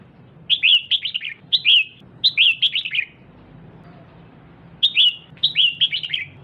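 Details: Female red-whiskered bulbul calling to stimulate the male: a long run of bright, bouncing chirped phrases, then a quiet gap of about a second and a half, then more phrases, over faint low hum.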